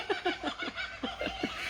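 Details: Kookaburras, one or more, just above a tree give a very noisy rapid run of hoarse chuckling notes, about five per second, rising and falling like loud laughter.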